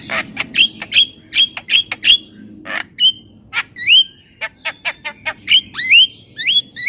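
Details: Javan myna mixing short harsh squawks with many sharp upswept and downslurred whistles in a varied, irregular song, with brief gaps between phrases.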